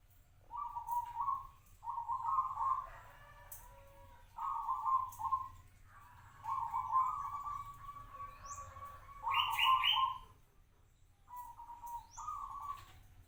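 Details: Captive local zebra dove, kept for five years, delivering a run of rolling, trilled coos in short bursts with pauses between, one phrase ending in a higher trilled note.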